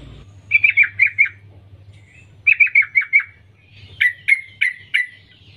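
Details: Female sooty-headed bulbul calling males: three short runs of sharp, downward-slurred notes, the final run slower with about five emphatic, ringing notes, over a steady low hum.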